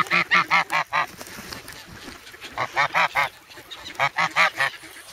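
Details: Noisy, hungry grown goslings in the snow at Sloterpark, Amsterdam, 3 February, pecking eagerly for bread, captured on a Sanyo-SH1. Three bursts of loud, nasal honks, four or five in each, with short pauses between.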